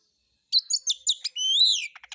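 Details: White-rumped shama (kacer) lure song, harsh material for provoking other birds: quick choppy notes leading into a long, pure, slowly rising whistle, then a few short clicks.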